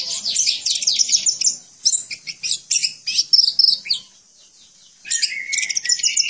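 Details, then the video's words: Orange-headed thrush in full, energetic song: a fast, high, varied song of sharp chirps and trills with a brief pause before resuming. "Anis Merah Gacor Dan Teler"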